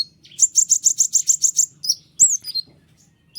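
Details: White-winged triller (konin sayap putih) song for tutoring other caged birds; a fast run of about ten sharp high buzzy notes, then a few slurred whistles.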